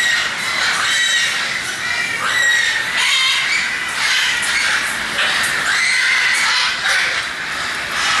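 Several macaws give harsh, raucous squawks that overlap almost continuously, with a few shriller rising screeches standing out.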